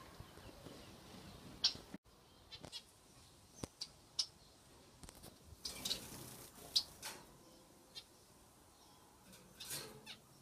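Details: Zebra finches in an aviary: short, nasal, beeping calls scattered every few seconds, with small clicks and rustles in between.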